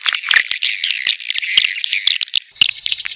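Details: Edible-nest swiftlet 'birahi' call, a mating call for attracting swiftlets to a nest house: a continuous, noisy mass of high chirps broken by sharp clicks.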